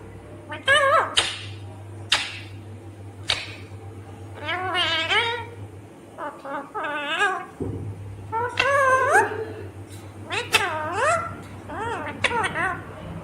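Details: Ringneck green parrot chattering in talking fashion: sharp clicks followed by many harmonic, wavering speech-like syllables, busier toward the end, over a steady low electrical hum.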